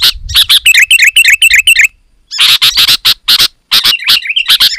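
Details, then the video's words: Sooty-headed bulbul in full, dense song, used as a lure for wild birds: a rapid string of liquid, bubbling phrases, a short gap, then a burst of harsh scratchy notes and a brief warble. "Suara Burung KUTILANG GACOR Suara Asli Rapat dan Lantang, Burung Kutilang Liar Auto Mendekat"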